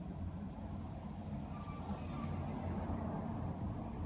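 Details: Low vehicle engine hum and road noise throughout, with no animal sound heard.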